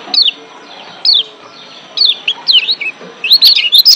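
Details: Excited Lombok white-eye in breeding condition: isolated high, downward-slurred chirps spaced about a second apart, building into a quick run of sweet twittering notes at the end.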